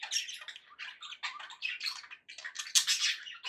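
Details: Several pet budgies keep up dense, scratchy warbling mixed with sharp squawks and quick chirps, the bursts tumbling over one another with only short gaps.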